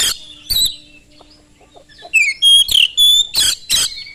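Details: Oriental magpie-robin in rapid, carrying song meant to provoke other magpie-robins into singing. Scattered soft notes lead into loud clear whistles broken by harsh buzzy bursts, about three phrases a second near the end.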